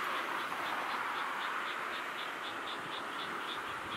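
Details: Twelve Eastern spot-billed duck ducklings settling for the night at a new roost their mother found, 17 May 2020, giving thin, high peeps, three or four a second in a steady run, over constant broad hiss.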